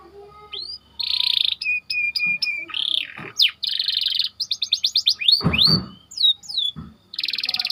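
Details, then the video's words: White canary singing as a training model for other birds, mixing buzzy trills, flat whistled notes and sharp sweeping slurs, with a few low knocking noises in between. "Burung Kenari Ngerol Rapat 🔻 Cocok Untuk Masteran"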